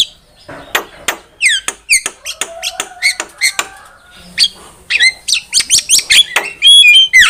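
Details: Javan myna song as a trapping lure: scattered clicks and grating notes build into quick bursts of high, downslurred whistles and harsh squeaks, ending in clear whistled notes.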